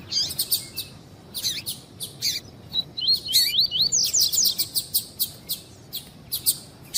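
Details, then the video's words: White-collared seedeater, tui-tui song style used to warm up tournament birds: scattered sharp high chirps, then a run of wavy, looping whistled notes that flows into a dense burst of rapid chirps. "ESQUENTAR COLEIRO TUI TUI"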